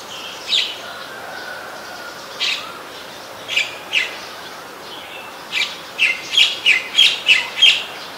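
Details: White-vented myna calling in Ubon Ratchathani, Thailand, 29 December 2019: spaced harsh, grating notes that speed up into a quick series of about eight rasps near the end.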